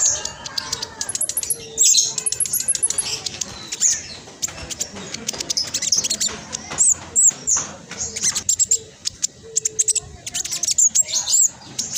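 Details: High, fast chattering song of a spotted black sunbird, played as a master call to start reluctant caged birds: dense bursts of very high ticks and thin sweeping whistles with brief pauses.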